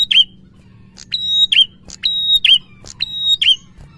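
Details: Prinia delivering 'gacor ngalun' song to stimulate lazy prinias into singing: rapid run of about five phrases, roughly one a second, each a click, a held high whistle and a downward-then-upward squeak, over a light steady hum.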